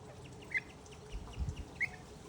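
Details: Pied avocet (Recurvirostra avosetta), call.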